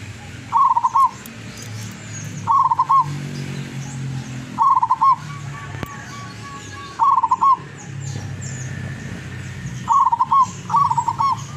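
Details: Zebra dove (perkutut lurah), a wild-caught local bird from Tuban, East Java, singing often with a long melodious voice; short stuttering cooing phrases of rapid notes ending in a rolled coo, repeated about every two to three seconds over low rumbling background.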